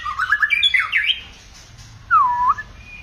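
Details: White-rumped shama singing a many-voiced song: a quick run of varied, chattering whistled notes, a pause, then one clear swooping whistle that dips and rises again, over a faint low hum.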